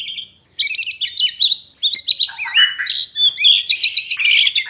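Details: White-rumped shama kept in a cage, song meant to bring birds into breeding mood; bright continuous song of rapid whistled notes, slurs and short trills, all high-pitched.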